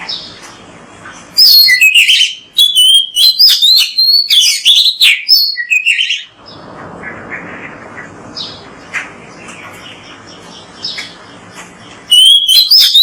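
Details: Energetic kacer (Oriental magpie-robin) song used as a training recording to get kept birds singing: a burst of loud, varied whistles, chirps and sharp slurred notes for about five seconds, then steady hiss with faint distant notes before the singing resumes.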